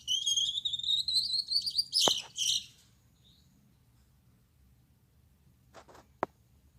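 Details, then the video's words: At night, a male Gouldian finch with red head, yellow back and white chest gives a short burst of high, wheezy, rising buzzy song. It ends abruptly, followed by near silence and a couple of faint clicks. "Suara Burung Gould Amadin Gacor || Gouldian Finch Singing Gacor"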